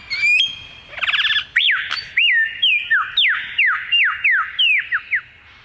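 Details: Male superb lyrebird in Australia singing as he flits among trees: a quick rattle, then a string of loud whistled notes that sweep down, repeated roughly twice a second, on a quiet background.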